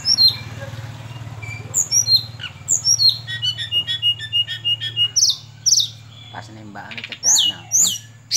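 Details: Sunda robin delivering varied high whistled notes, some descending, others rising, in irregular bursts with short gaps, over a steady low droning hum.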